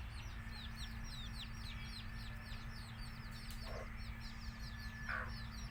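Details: Native chicken chicks chirping nonstop in high descending peeps, while a couple of lower, harsher hen notes break in briefly near the end over a constant low hum.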